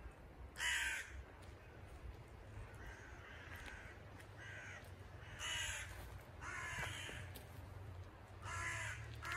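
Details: Adult crows croaking in agitation as they fly around a chick that fell from the nest near a house; scattered harsh caws, some loud and some distant, separated by pauses, over a low rumbling background.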